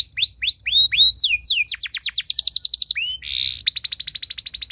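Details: Canary delivering a rich training song to stir other canaries; spaced rising whistles, then rapid trilled rolls, a short buzzy note and a fast even trill.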